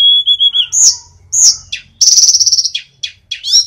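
Sunda Robin song: a clear, level whistle that breaks into sharp high chirps, a fast buzzy rattle, then more bright slurred notes.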